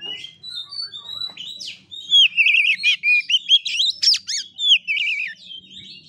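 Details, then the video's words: Kacer, or oriental magpie-robin, in fighting-style 'ngeplay tarung' song, 'gaya kura kura': opens with soft scattered whistles, then a dense stretch of loud warbled, wavering phrases and sharp rising slurs. "KACER NGEPLAY TARUNG|GAYA KURA KURA"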